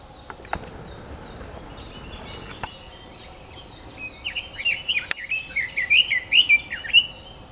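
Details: Red-billed leiothrix song recorded 6 May 2014 at Nukata park on Mount Ikoma, Japan: quiet start with faint clicks, then a fast, bubbling string of bright warbled notes over the last three seconds.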